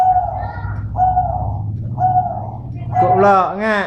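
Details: Three even, tonal coos from a dove described as having a medium-pitched voice, spaced roughly a second apart, then a louder, richer wavering call at the end.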